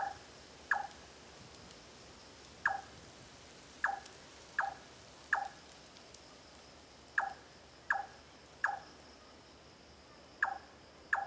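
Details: Large-tailed nightjar in Singapore on 9 March 2014 gives sharp, hollow 'chonk' notes like a knock on wood, about one a second at an uneven pace, over a faint steady hiss.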